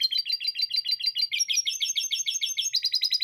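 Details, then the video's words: Canary in continuous song laced with lovebird chatter. Tours of rapid high chirps shift pitch twice, first dropping into fuller, louder notes, then rising again into a faster sequence. No background sound. "Kenari Gacor Panjang Isian Lovebird Ngekek"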